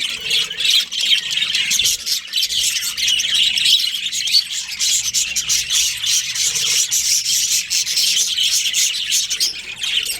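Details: Breeding pair of budgerigars chattering nonstop: dense, high, scratchy chirps and warbles layered without pause for the whole stretch, with brief softer dips now and then.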